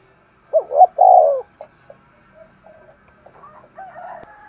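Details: A spotted dove's 'thúc gù' phrase opens with two quick hooked coos and a long throaty note. Softer scattered notes and faint clicks follow.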